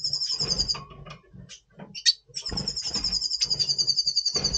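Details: Red siskin, Double Pastell mutation, singing before the breeding season in November 2023: a high rattling trill, a gap with a sharp squeak, then a sustained fast, even trill of rapid notes lasting two seconds.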